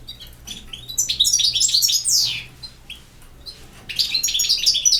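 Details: European goldfinch singing a campero-style song: rapid, tinkling twittered phrases with buzzy and liquid notes in bursts, a quieter pause, then another burst of chattering trills. A faint low hum sits underneath.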